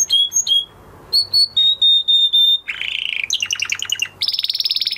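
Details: Post-moult canary song with clear steady whistled notes held briefly, a pause, then a buzzy churr, a fast rattling trill and a high rapid warble.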